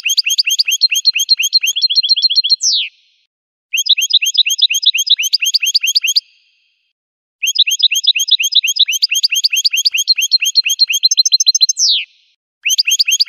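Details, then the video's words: Repeated goldfinch song phrases: dense runs of high, rapid, tinkling chirps. Two of the phrases close with a long, descending buzzy slur. Short silences separate the four bursts. No other noise. "Magic of the melody of the goldfinch's song"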